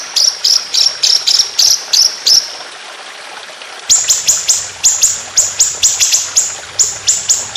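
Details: White-rumped shama competition song with long rapid 'tembakan' bursts: an even series of sharp high chips, a short pause, then a longer fast run of the same piercing notes.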